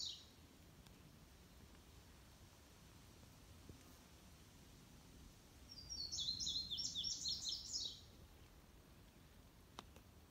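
An Indigo Bunting sings one high, bright phrase of about two seconds, sweet notes mostly given in quick pairs, over a faint low background hum.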